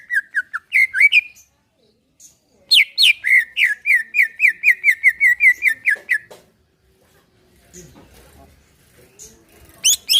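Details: Greater green leafbird relaxed song meant to prompt a caged bird to sing; short whistled notes, a pause, then a long fast train of evenly spaced slurred whistles lasting over three seconds, followed by faint background noise.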